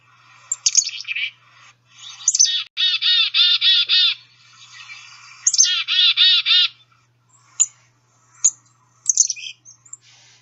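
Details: Black-capped Chickadee giving some of its varied other calls besides the chickadee-dee-dee call: high chips and two bursts of harsh, buzzy, rapidly repeated notes, followed by scattered sharp single chips.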